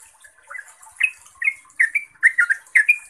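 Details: A lively yellow-vented bulbul sings a lure song meant to make other trucuk answer: soft opening notes, then clear bubbly chirps and quick double notes, each slurring slightly upward.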